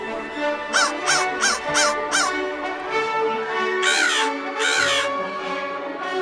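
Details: American crow giving a quick run of five short, clipped caws, then two longer, harsher caws after a pause. Soft music tones play in the background.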